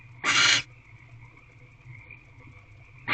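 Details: Female barn owl peering through the door of her nest box on the evening of 29 March 2023. One rasping, breathy screech lasting about half a second, then a quiet gap before the next begins. A constant thin high tone and low rumble run beneath.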